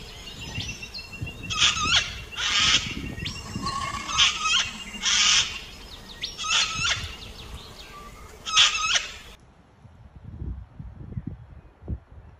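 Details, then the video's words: Six harsh, grating sulphur-crested cockatoo screeches in ragged bursts about a second apart, with thin whistles from other birds and a quiet outdoor rumble after. "Sulphur Crested Cockatoo Sounds"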